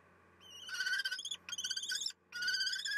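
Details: Common kestrels at a nest in May: the male gives harsh, whining, rasping trill calls in three bursts, announcing he is bringing a vole, as the female leaves and he takes over the eggs; a faint electrical hum underneath.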